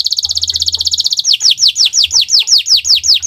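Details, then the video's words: Canary singing in the 'owor-owor uhuii' style for training other birds. A very rapid ticking trill lasts about a second, then changes into steady downward-curving whistled notes, around four each second. "Gacor Owor-owor uhuii"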